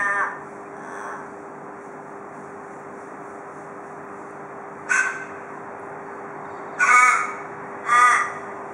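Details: Australian raven near a house porch in Perth, Australia, using the 'cock a doodle doo' call of Perth ravens: two faint distant caws, a pause of several seconds, then three loud hoarse harmonic caws close together.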